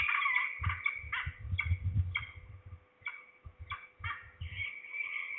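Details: Falcons, at least two, heard at Trzebież, Poland, 2 September 2019 around 15:11, the nearer one lower down. Rough, rapid chattering notes in broken bursts, accompanied by low thumping handling noise.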